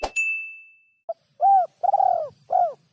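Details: Spotted dove singing a song with a rhythm said to be very hard to find: a sharp metallic ring fades out first, then four low, rounded coos follow, one short and three longer, over a faint low hum.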